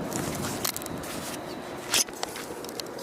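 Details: Outdoor rustling and footsteps with one sharp crackle near the two-second mark, over steady background noise and no animal voice.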